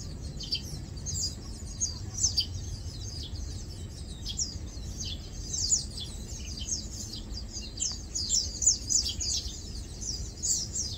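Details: A group of Lowland white-eyes feeding and preening keeps up high, sibilant chirps and quick descending tsee notes, clustering into busier bursts near the start and end, over faint low background noise.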